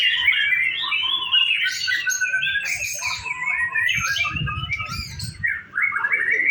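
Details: Practice contest singing from white-rumped shama: a busy stream of chirps, buzzy trills and whistles, with a short low thump of handling noise near the end.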